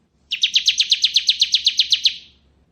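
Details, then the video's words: Ngebren-style ciblek kristal song from a bar-winged prinia, used for tutoring magpie-robins; a rapid, even trill of around fifteen bright, buzzy notes lasting nearly two seconds, ending with a soft fade. "Suara Burung Ciblek Ngebren"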